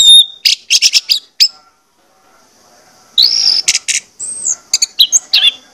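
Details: Orange-headed thrush song meant to prompt singing: a cluster of rapid stuttering high notes, a pause of nearly two seconds, then a rising whistle and a jumble of sharp chirps and downslurred notes.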